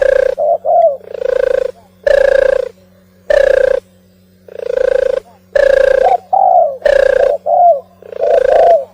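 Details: Migratory turtle dove singing: low, mellow coos in bursts with short hooked notes between them, some rough and distorted. A steady low electrical hum runs underneath.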